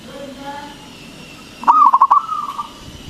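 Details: Local zebra dove, strong-voiced and eager, used to lure and excite other doves into song: soft low coos at first, then one loud phrase of fast pulsed cooing notes ending in a drawn-out tone.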